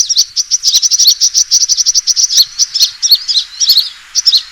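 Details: Sunbird fighting call used as a trapping lure, a fast stream of piercing high chirps repeated many times a second, breaking into scattered, more irregular notes toward the end.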